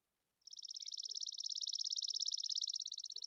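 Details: Chipping sparrow in Montana, a bird of dry, open conifer woodland, giving its dry, mechanical, insect-like trill: a long, even, very rapid run of high chips lasting about three seconds, with no other sounds.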